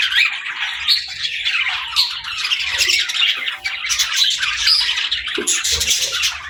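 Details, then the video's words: Baby budgerigars playing, loud continuous squawky chirps and warbled chatter from several birds, with a few soft low knocks near the end. "Baby Budgies Playing & Talking 🐣🎶 | Fun Chirping Sounds"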